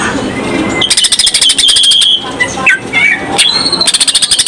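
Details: Greater green leafbird singing its varied 'isenan' song as a lure for other birds: bursts of rapid buzzy rattling alternating with sliding whistled notes and a sustained high whistle.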